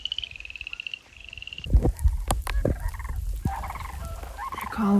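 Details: Four sandhill cranes flying in over the Montana prairie in rain, calling to each other, give a rolling, rattling bugle for a second or so. Knocks of stone being stacked and a man speaking quietly follow, with rain in the background.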